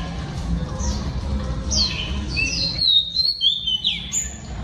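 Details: Female oriental magpie-robin singing to stimulate males: after a noisy start, a burst of sharp slurred whistles and squeaky notes in rapid succession, about three to four per second.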